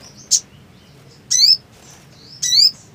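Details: Black sunbird, described as lively and in breeding condition: one sharp high chip, then two longer buzzy phrases with down-slurred overtones about a second apart.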